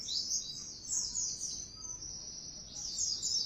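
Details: Oriental white-eye lure song for provoking a kept bird to sing: a faint, continuous high thin warble over a soft background hiss.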